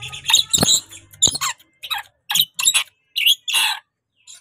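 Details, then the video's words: Tame, chatty pet rainbow lorikeet giving a series of harsh, buzzy squawks in short bursts about every half second, some with scratchy rising notes, and a brief low voice at the start. "BURUNG NURI PELANGI JINAK BANGET LUCU GACOR"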